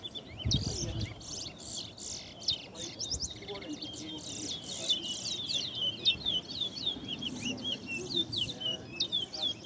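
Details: Large-billed seed finch known as towa towa, singing in a 2021 competition at Ana Regina Park, Essequibo, Guyana: sustained stream of high sliding whistles and trills over background murmur, with numbers called out between phrases.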